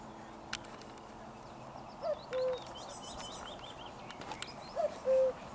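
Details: Common cuckoo recorded close up on 4 June 2023, giving two clear two-note cuckoo calls, a short higher note dropping to a longer lower one, about three seconds apart, with other small birds twittering in the background.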